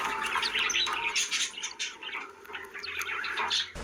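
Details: Pet budgerigars described as happy, chattering together indoors in a small room: a dense, overlapping stream of bright chirps, squeaks and warbled notes, several birds calling at once with no pause over four seconds.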